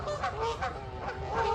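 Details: About four Canada geese fighting in Paris during the May 2026 Global Big Day give harsh, overlapping nasal honks in quick succession, with steady background noise; territorial, quarrelsome birds.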